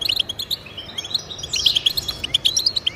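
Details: European goldfinch song for encouraging caged goldfinches: crisp, separate high tweets at first, then a quick slurred note and a lively run of chirps, steady background hiss.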